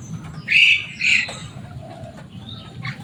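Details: Javan myna, a kept bird described as loud and noisy and able to mimic human speech, giving two harsh, buzzy squawks about half a second apart, then faint scratchy notes over low background hum.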